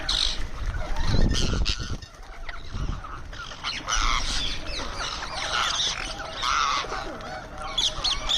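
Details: Indian ringneck parrot vocalising as it eats: scratchy, buzzy squawks and chattering notes, more continuous in the second half, with loud low bumps and rustles from feeding near the start.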